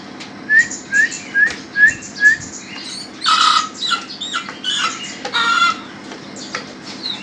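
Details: Ayam Ketawa chick calling: five short rising peeps, evenly spaced about every half second, followed by louder, noisier chirps and rustling with faint peeps from other chicks behind.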